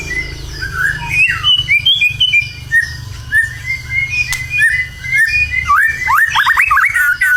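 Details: White-rumped shama in constant, competition-ready song: a flowing series of clear whistles and slurred notes, ending in a loud cascade of rapid, rising and falling phrases.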